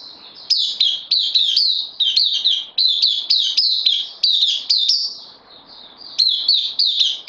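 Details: Caged bulbul recently received on loan, recorded in September 2020, delivering lively rapid-fire high chirps with downward slides, broken by a short soft lull before resuming.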